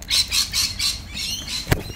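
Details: A wild Australian cockatoo among a flighty, flustered group gives four harsh, rasping squawks in quick succession, about four a second, followed by a single sharp knock. A cautionary call is mentioned as the birds take off.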